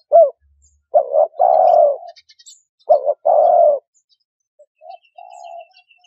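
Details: Two full cooing phrases from a spotted dove, quick paired notes then a drawn-out mellow coo, followed by a faint trailing coo, with light high twittering in the background.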